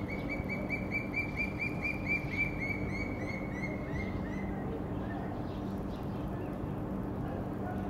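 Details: Senegal thick-knee in Cairo giving a rapid series of clear, piping whistles that slowly drop in pitch and fade over about five seconds, over a steady low hum of distant traffic.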